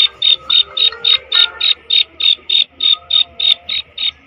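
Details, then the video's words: Female black francolin giving a steady train of short, sharp high-pitched notes, roughly three per second, evenly spaced and clean against a quiet background. "Black francolin female voice"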